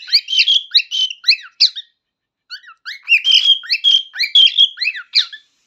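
A cockatiel sings a rapid warble of bright, sliding whistles and chirps in two bursts.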